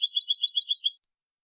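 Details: European goldfinch with clean-style song (jilguero limpio) from a 2020 recording: a rapid, even trill of bright high notes, about thirteen per second, lasting roughly one second before stopping abruptly, with a silent background.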